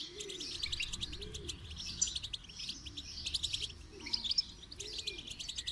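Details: Goldfinch song for training, a continuous high twittering in short bursts, while a dove coos softly in the background at regular intervals.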